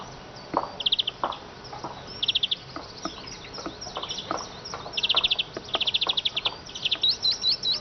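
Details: Eurasian siskin singing a twittering run of quick trills high in pitch, with short buzzy bursts and sharp clicking notes scattered between phrases.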